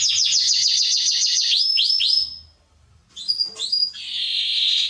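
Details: Singing Atlantic canary in training recordings for young birds: fast stuttering chirp series slowing into a few rising slurred whistles, a short pause, then sharp clipped notes and a buzzy rolling trill.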